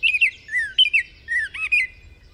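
Baltimore Oriole giving a short, sweet song of clear whistled and slurred notes, mostly high and fluty, in a few quick phrases over about two seconds.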